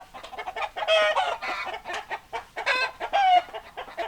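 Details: Hens clucking in a flock, dense overlapping harmonic clucks and short squawks around the middle range, bursts every half second or so with brief louder calls near one and three seconds.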